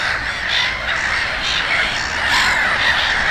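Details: Short stretch of a crowd of gulls at Konstancin-Jeziorna, with overlapping nasal cries and a few clearer, higher squeals standing out.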